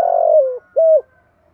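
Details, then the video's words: Fragment of a spotted dove thúc gù rousing coo used to stimulate trained doves: the tail of a long falling coo followed by one short, steady hollow note. "chim cu gáy thúc gù bài bản/ tiếng chim cu gáy thúc gù nghe là ghiền"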